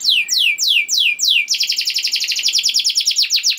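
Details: Lure song of a canary, meant to get other canaries singing: four slow, downward-sweeping whistled notes, then a fast, even, bright trill of short repeated notes.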